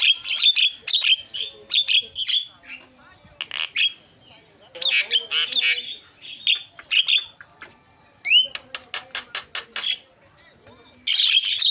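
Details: Starling chatter played to provoke other starlings to sing: long run of rapid, harsh, clicking bursts, a sharp rising whistle, then fast repeated staccato notes and a final burst of noisy chatter.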